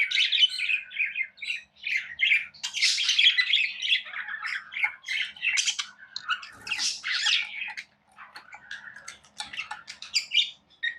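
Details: Budgies chatter and squawk in a rapid mix of harsh squeaks, sharp chirps and warbled notes, with many overlapping bursts and a brief pause near the end.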